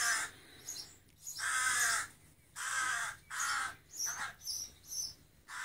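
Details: Fledgling rook begging for breakfast: a rhythmic series of five or six loud, raspy caws, each up to a second long, mixed with a few high squeaky chirps near the end.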